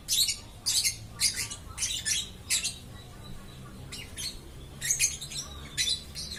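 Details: Continuously singing lovebird: fast runs of rasping, high-pitched chirps clustered in quick bursts, a brief quieter stretch, then more shrill squeaky notes, low hum underneath.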